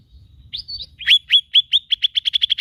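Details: Lesser green leafbird, known locally as cak ijo mini, giving its typical song: a few sliding whistled notes, then a run of sharp chirps that speeds up steadily toward the end, in a quiet setting with faint low rumble.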